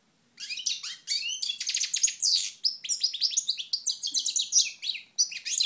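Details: Goldfinch song recorded at Moknine, Tunisia, 2012, with the bird in sunshine: after brief silence, a continuous bright jumble of high chirps, liquid twitters and scratchy buzzes delivered at a rapid pace.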